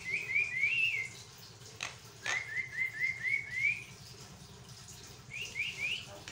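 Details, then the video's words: Javan myna singing continuously for training other mynas: short runs of fast, warbled, slightly rising notes separated by brief clicks, with a low steady hum underneath. "jalak kebo ngoceh tanpa henti, buat masteran dan pancing bunyi"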